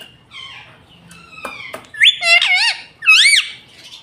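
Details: Green pet ringneck parrot that talks, saying Mitthu, Mummy and Papa; soft thin notes and clicks lead into two loud squeaky, wavy phrases with bending pitch.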